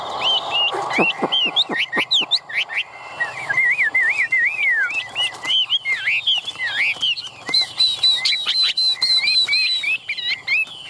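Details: Chinese hwamei kept in a cage in Vietnam, pouring out a long varied whistled song of looping, slurred and rising notes, with a few sharp clicking sounds early on and a busy, rapid passage toward the end.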